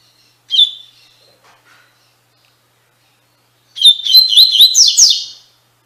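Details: Tui Tui Fibra song of the double-collared seedeater, played to train captive birds; a lone sharp whistled note, a long silence, then a lively phrase of rapid, looping whistles.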